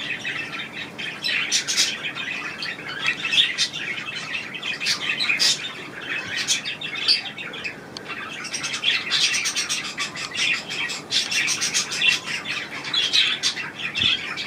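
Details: Budgerigars in a budgie room bathing on 25 May 2018; long stretch of dense chirping, warbling and clicks, with wing flutters mixed in.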